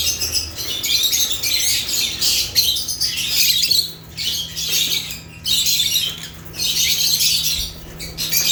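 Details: Noisy flock-like chatter of African lovebirds (Agapornis): loud shrill squeaky chirping in long bursts broken by brief quieter gaps, low hum underneath.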